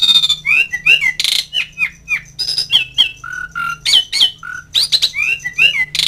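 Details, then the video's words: Asian pied starling calling to mates and rivals with a rapid mix of harsh screeches, downslurred whistles and clear steady whistled notes, over a faint low hum. "NADA KICAU CALLING JALAK SUREN MEMANGGIL LAWAN"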